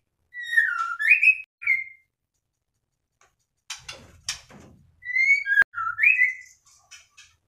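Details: Moulting white-rumped shama (murai batu) kept in a cage, singing: short whistled and warbled phrases, a pause with some rustling and a sharp click, then more rising whistles.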